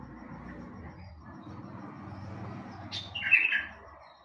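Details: Steady low background noise throughout, then near the end a bulbul bursts into a brief loud slurred whistling phrase lasting under a second.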